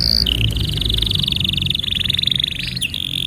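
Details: Canary tutor song, played to teach young canaries and to prompt silent canaries to sing: a long, even, rapid high trill held steady after a brief higher opening note, with a faint low rumble beneath.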